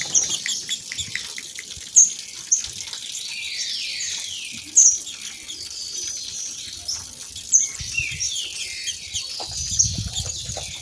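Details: Green-winged saltator song from two females, meant to get males singing: clusters of falling slurred notes and scattered bright high chips. A faint waterfall murmur runs underneath.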